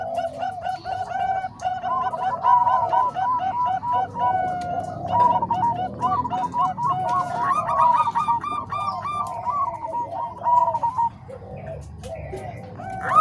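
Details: Combined Bangkok and Cemani Kolbuntet zebra dove song, meant for tutoring other doves: layered rapid cooing trills from more than one bird, phrases rolling on continuously over a constant low background hum.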